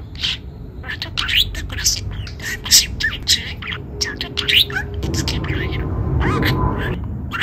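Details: Pet talking budgerigar, recorded November 2, complaining to its owner for ending its sunbath too soon: rapid, chattering mimicked speech with squeaky high notes and chirps, soft music beneath that grows louder near the end.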